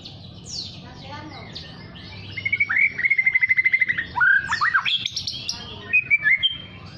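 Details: Young white-rumped shama practising its song while learning to sing. Scratchy twitters lead into a fast, evenly pulsed trill, then sharp whistled upslurs and short chirps, with a constant low hum behind.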